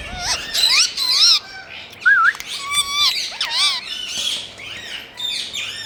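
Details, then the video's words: Pet rose-ringed parakeet calling: a quick jumble of harsh squawks and bent, wavering whistles, some rising and falling in loops, tumbling together in an irregular stream of high notes with no other clear sounds. "Parrots Miya Mithuuu🍁2026 Funny Relaxing Sounds🎀"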